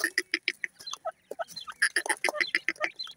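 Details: Playing grey francolin chicks give a rapid, uneven string of short, high peeps, about two per second, with a few lower, softer notes between the bursts.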